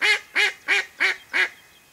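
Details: Mallard hen, a live bird kept to lure wild ducks during a hunt, giving five loud, nasal quacks in quick succession, evenly spaced about a third of a second apart and fading slightly toward the end.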